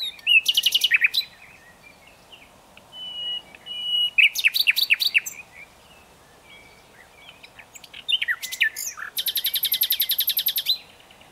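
Common nightingale singing varied phrases: rapid buzzy trills, sharp rising whistles and a fast rattling rolled series, separated by short pauses. Faint background hiss.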